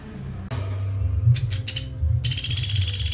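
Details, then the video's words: Pelatuk Sampit singing in rapid tight-shot style. A few sharp high clicks and short bursts lead into a loud, very high, fast-pulsed buzzy trill, over a low humming background. "Pelatuk Sampit Gacor Tembakan Speed Rapat"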